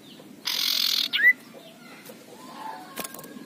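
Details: Fierce male common iora rasping harshly: a half-second grating, buzzy burst immediately followed by a quick upward-sliding whistle, then quieter background chirping.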